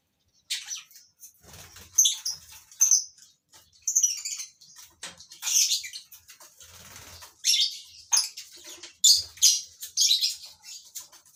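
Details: A colony of captive lovebirds kept for breeding: a busy stream of harsh, high chirps and piercing squeals, many birds calling at once in irregular loud bursts, with occasional soft fluttering.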